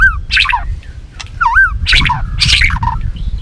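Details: White-rumped shama singing competitively while flicking its tail: loud, varied whistled phrases, some swooping up and down, others rich and warbled, run into each other, over a steady low rumble of background noise.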